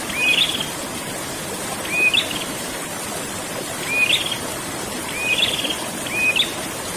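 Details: Prenjak (prinia) with rolling ngerol song: five phrases of a short whistle sliding up into a buzzy trill, irregularly spaced one to two seconds apart, over a steady water-like rush.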